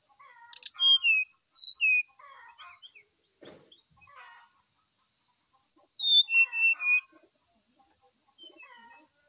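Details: Morning song of a brown-chested jungle flycatcher, excited and singing hard, played to prompt another bird: bright whistles sliding down in steps in two loud phrases, with softer chattering and a brief rustle between them.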